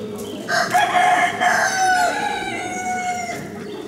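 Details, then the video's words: Gallic rooster at the 2015 national poultry show, Exposition Nationale d'Aviculture; one long, strained crow held nearly three seconds, harsh and steady in pitch, trailing off, amid the background hubbub of the show hall. "Coq Gaulois - Gallic Rooster"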